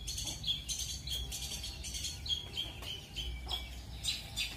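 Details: Long-tailed shrike, training material for 'roll speed' and 'roll tembak' styles: a fast chattering series of sharp buzzy notes and brief whistles at irregular spacing, with steady low hum underneath.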